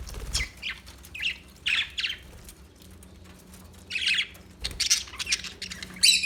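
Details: Parakeet chirping in bursts: scratchy, buzzy notes clustered high, arriving in short separated phrases with quiet gaps, plus a faint low hum underneath.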